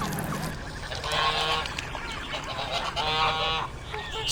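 A swan gives two loud, nasal, brassy honks about two seconds apart, each lasting half a second, over a soft background hiss.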